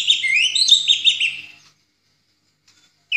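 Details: Orange-headed thrush in 'ngeplong' voice, a tutor recording for other songbirds: one dense, rapid phrase of bright whistled slurs and quick upward notes lasting about one and a half seconds, then silence.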